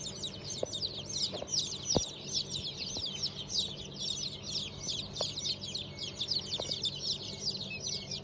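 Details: Newly hatched chicks of several chicken breeds (Cream Legbar, Sultan, Fizan, Cochin, İspenç), hatched 5 May 2023, peeping constantly: dense overlapping high chirps from many chicks over a steady low machine hum, with occasional clicks.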